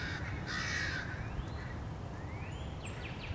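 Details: American crow attacking a bald eagle near its nest on March 30, 2016. One harsh, broad caw opens, then faint rising whistled sweeps over a constant low background hum.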